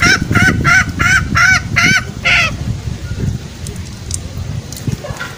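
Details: Green junglefowl trapping lure, meant to bring males out in the forest: six or seven quick, harmonic honking notes in the first half, then background rumble and faint noise.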